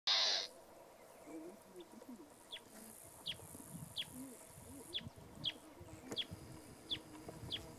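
Sincora antwren giving about nine sharp, high, downslurred notes, spaced roughly two-thirds of a second apart, after a brief thump at the start.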